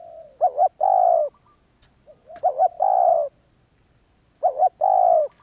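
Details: Wild-caught spotted dove, described as a very persistent bird, calling loudly: a short double-noted coo followed by a longer, steady, low coo, the phrase repeated about every two seconds in a quiet setting.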